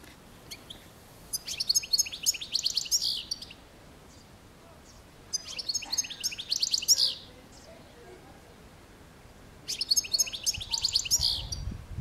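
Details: European goldfinch singing in three bursts of rapid, tinkling high twitters and buzzy notes, each lasting one to two seconds with quiet gaps between, over faint background hiss.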